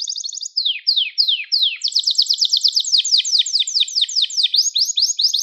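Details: Gloster canary song meant to excite other canaries: short trill, several slow downward-sliding whistles, then a long fast series of sweeping repeated notes.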